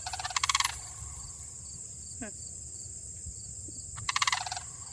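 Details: A pair of sandhill cranes call back and forth. Two short, rolling, rattled bugle bursts come nearly four seconds apart, with quiet wind and a faint thin chirp in between.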